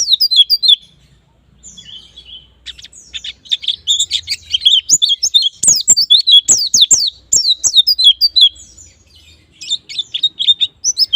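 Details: Lure recording of white-eye singing, aimed at triggering quick ngalas and nembak song: long bursts of shrill, tumbling chirps, a short quieter pause, then an intense twittering run punctuated by sharp taps.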